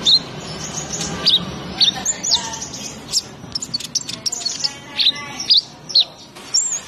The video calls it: Burung Pemakan Madu Lebah